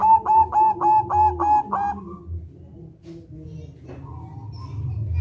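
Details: Zebra dove, local Indonesian type, in rolling ngerol song used to get other doves singing or to trap them; six or seven rapid cooing notes in the first two seconds, then faint room sounds.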